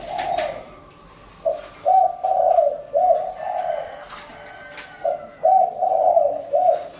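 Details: Spotted dove calling in repeated soft, throaty coo phrases of several linked notes, with a pause mid-clip before the phrase starts again.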